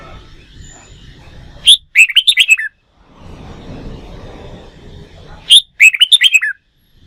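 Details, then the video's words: Wild-caught red-whiskered bulbul in training for contest singing: two matching phrases, each a sharp opening note followed by about six quick descending whistled notes, with hissing background noise between them. "Luyện chim hót đấu, kích chào mào bổi"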